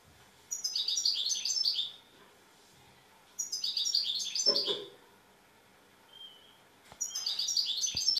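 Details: Song of a tamed European goldfinch: three short bursts of high, rapid twittering, each about one and a half seconds long, separated by quiet pauses, with one faint low knock.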